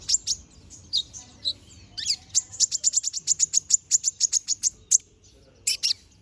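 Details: Bald brown-throated sunbird, a young bird regrowing feathers, delivers a rapid, even series of about twenty sharp high ticks in under three seconds, preceded by twitters and a short slurred note, ending in a few chirps.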